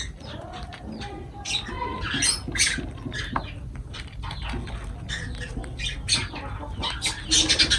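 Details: Feeding lovebirds making rapid, uneven chattering squeaks and short shrill notes, several callers overlapping, with pattering and rustling sounds throughout.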